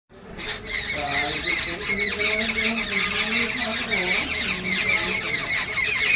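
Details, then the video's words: Babblers in an angry mood give continuous harsh, grating squawks and chattering calls, several birds overlapping in a noisy, agitated chorus with no pause. "babbler bird angry mood"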